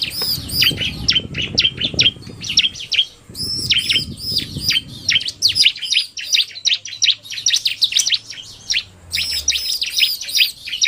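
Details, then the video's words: Male and female bar-winged prinias, the male in narung style and the female fast: continuous high, piercing chirps and twittered runs in repeated bouts, with a low rumbling noise during the first half. "Kombinasi Suara Ciblek NARUNG dan Betina Cepat"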